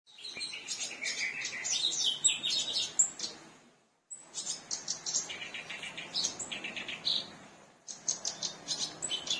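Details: Black-browed reed warbler singing energetically, a fast, varied chattering song of scratchy, buzzy notes mixed with thin high whistles, delivered in two long bursts separated by a brief pause, then resuming.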